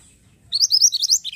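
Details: Pied bushchat singing persistently: a quick burst of high, thin, slurred chirps that climb slightly in pitch, delivered rapidly and somewhat unevenly over less than a second against near silence.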